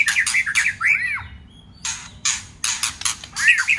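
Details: White-rumped shama singing with harsh 'tạch' notes, a trigger recording used to fire up a low-spirited shama; rasping broadband bursts alternate with short arched whistles, with a quiet pause midway.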